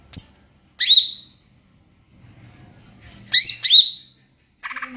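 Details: Greater green leafbird (cucak ijo) ngeplong song: a few piercing high whistled notes sliding downward, in pairs, separated by silence, ending with a short scratchy burst.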